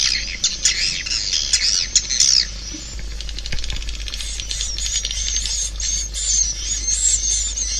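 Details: Swiftlets in a high, dense twittering chorus, louder squeaky chirps in the first two seconds, then a steadier buzzing chatter with fine rapid clicks continuing to the end.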